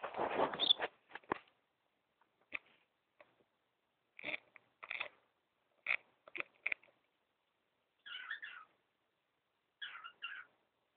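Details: Pet cockatiels indoors in a room, recorded on a mobile phone: scattered short chirps and clicks, then two warbling, wavering calls near the end, with rustling at the start.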